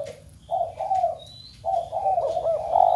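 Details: Spotted dove cooing to stir a flock of kept doves into cooing: low, hooting coo phrases, a short one then a longer rolling one after a brief pause, with faint high chirps above.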